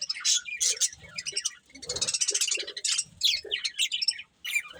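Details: Budgerigars of a breeding pair chirping in quick bursts of high, squeaky and buzzy notes with warbled chatter, a short silence near the end.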